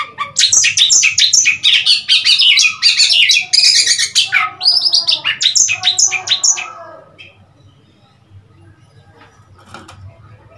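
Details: Oriental magpie-robin recorded on 3 March 2021, giving a rapid burst of high, varied chirps and whistled notes for about seven seconds, then fading to quiet background hum.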